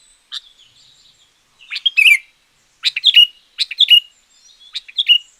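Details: Lively sooty-headed bulbul phrases follow one another closely, each a quick run of chirps ending in a dropping note. Keepers use it to coax wild bulbuls or to master quiet caged ones.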